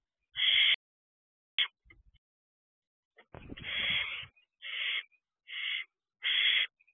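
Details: Young barn owls spending time on a perch by their owl box, night of June 3, 2023: separate rasping, breathy screeches, one stretched to about a second, with short clicks and thuds between bursts.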